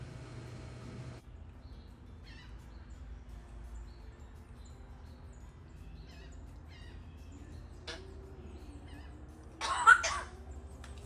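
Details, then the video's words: Pet female African grey parrot in Florida fakes a cough that sounds just like a person, a single rough, breathy cough near the end after long quiet stretches with faint clicks and soft room hum. "funny smart African grey faking a cough"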